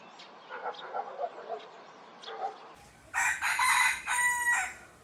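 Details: Rooster crowing, part of a compilation of crows: soft clucking and low murmurs for about three seconds, then a loud harsh two-part crow with a strained, wavering tail.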